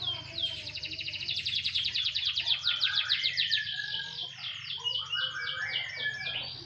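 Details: Canary sunbathing, singing a long run of rapid high notes, many fast repeated trills and short rising and falling syllables, with a low hum beneath.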